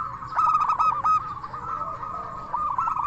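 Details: Zebra dove, a local Indonesian bird, singing its "crystal" song to draw replies from other zebra doves. A short burst of fast pulsed coos, followed by softer trilling coos that rise again at the end.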